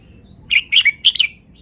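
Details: Red-whiskered bulbul, a caged songbird kept in Thailand, singing a short burst of four or five loud liquid whistled notes, bubbly and slurred, in quick succession over about a second, then brief quiet; faint background hum.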